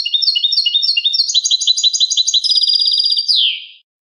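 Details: European goldfinch clean song, recorded for educating captive birds: fast repeated twittering motifs, then a dense buzzy trill, ending in a descending slurred note before silence.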